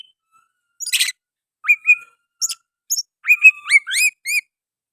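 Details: Oriental magpie-robin song with sooty-headed bulbul phrases: a scratchy burst, spaced whistled notes, then a quick cluster of rising hooked whistles and high chirps.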